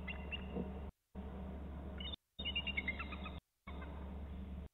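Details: Bald eagle calling around 14:53 as one flies low from right to left and the eagles leave, then return; high, thin stacked chirps run in a short descending series midway, over a steady low hum with brief dropouts in the recording.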